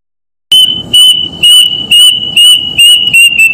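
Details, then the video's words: Plaintive cuckoo call: a single sustained high whistle broken into about seven rapid pulses, falling faintly in pitch toward the close. "Suara Burung Kedasih"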